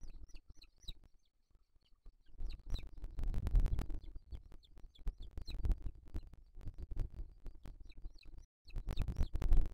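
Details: Booted eagle chicks at the nest on 3 July 2023, as the father brings a bird as food, give thin, high, falling peeps in short bursts over heavy low thumping and rustling.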